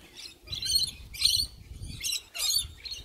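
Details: Sulphur-crested cockatoo calling in the morning: five harsh, raspy, broadband screeches, each about half a second long, spaced roughly every half to one second, with faint low background rumble.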